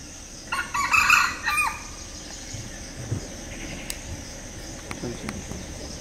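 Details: Wild red junglefowl (wild cock) in Madhya Pradesh, India, gives a single short, clipped crow of a few harsh rising and falling syllables, then quiet background hiss with faint distant sounds.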